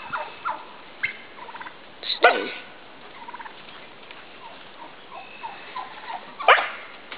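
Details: Midget White turkey tom displaying while mating with a receptive hen; soft clucks and purrs broken by two loud harsh rasping squawks, near the start and again toward the end.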